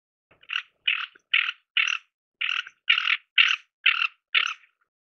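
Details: Ferruginous duck (white-eyed pochard) giving harsh, rasping bursts, nine grating notes delivered about twice per second with brief gaps, against an otherwise silent background.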